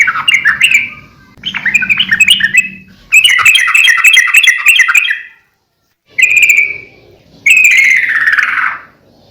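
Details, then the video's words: Sooty-headed bulbul singing steadily for bird training and luring: chattering bursts of notes, a longer dense trill, then two separate whistled phrases, the last sliding downward. "suara trucukan gacor COR buat masteran / pancingan trucukan agar burung trucuk gacor"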